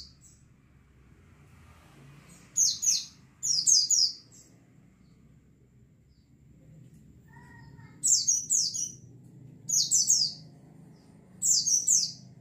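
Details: White-eyes in a flock, used as a lure to bring birds to song: short bursts of high, thin, rapid descending chirps repeated in clusters, separated by quiet gaps, over a low rural background hum.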